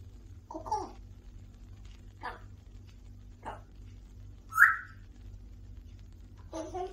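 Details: Domestic African grey talking parrot produces scattered short vocal bursts and clicks, then a bright, loud whistled note. A longer speech-like utterance ends the sequence against a faint indoor hum.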